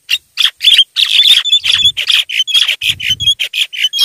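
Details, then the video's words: Javan myna lure call for wild birds: a loud, continuous stream of rapid harsh chattering notes with whistled accents, about four per second. "suara JALAK KEBO PIKAT MP3 gacor... suara ampuh untuk pikat mp3 memanggil jalak liar"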